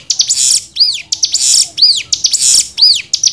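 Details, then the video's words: Cigun tutor song in the 'nembak' manner: high buzzy rushes alternating with bright down-curving whistles, evenly repeated about once a second. "MASTERAN CIGUN NEMBAK 6 VARIASI"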